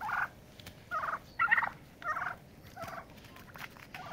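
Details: Turkeys fighting to establish dominance and a pecking order; repeated harsh rattling gobble bursts, each about a quarter second, roughly every half second to second, with faint scuffling between.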